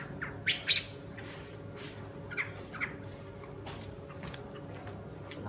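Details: Wild female Chinese hwamei (Garrulax canorus), two seasons old, calling: a few short, high chirps in two brief bursts, with quieter pauses between them, over a steady low hum.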